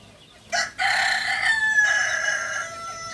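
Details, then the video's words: Kukuak balenggek chicken, a native rooster breed from Solok, West Sumatra, crowing: a sharp opening note, a brief break, then a long harmonic-rich crow with stepped, laddered pitch changes that fades out gradually. "Ayam kukuak balenggek ayam asli solok sumbar"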